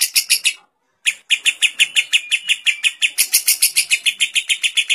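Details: Lovebird with kapas tembak song in its repertoire, giving a long ngekek chatter used as training material: rapid harsh high notes about five per second, broken by a short pause, then resuming steadily.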